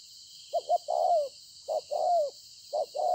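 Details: Cooing spotted dove, wild-caught, recorded 26 September 2020 at Konlong: repeated phrases of short stuttering notes leading into a long, downward-sliding mellow coo, against a constant high insect chorus.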